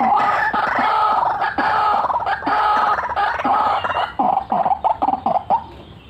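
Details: {'caption': 'White-breasted waterhen in full, energetic calling, a continuous cackling, rolling style: loud, harsh, nasal croaking notes run together rapidly for about four seconds, then break into separate clipped notes spaced roughly a third of a second apart before fading.'}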